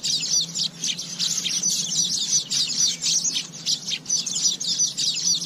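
Asian golden weavers give a continuous high, buzzy chatter of sizzling, rattling notes in rapid bursts, with a faint low hum underneath.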